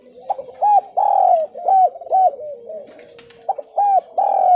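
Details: Javanese spotted dove calling vigorously in the Kuk 2 style, used as a lure to make lazy doves call: short arched coos alternating with longer drawn-out coos, loud and repeated about twice a second, faint background.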